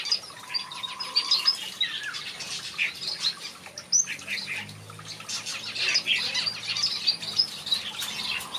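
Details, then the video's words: Aviary finches in a backyard chirping and twittering steadily in high, rapid notes. A brief lower buzzy tone sounds early on. "Watch these finches sing a beautiful melody in my backyard"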